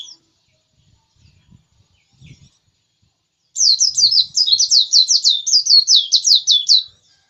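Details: White-eye (pleci) singing persistently: after a quiet start, a fast run of high, sweet, slurred twittering notes pours out for about three seconds, each note sliding down quickly, with no other sounds.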